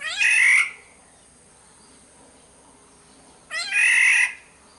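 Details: Sumbawa black-naped oriole, lure recording: two rasping, mewing cries about three seconds apart, each starting with a short rising upstroke and then holding a broad, scratchy tone, with near silence between them.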